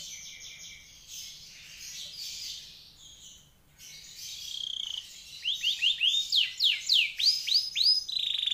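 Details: Canary song meant as a master recording for other birds: a soft, hissy, noisy opening, then a clear series of rhythmic upward-sweeping whistles repeated about three times per second and a short high trill.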